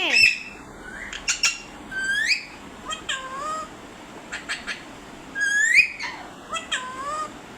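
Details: Noisy parrot giving a string of loud, rasping squawks and short upward-sweeping and downward-bending cries, some in quick pairs, steady calling across the whole stretch.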